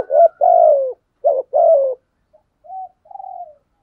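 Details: Decoy spotted dove: two quick coo phrases, each a short note then a longer falling coo, followed by soft quieter notes.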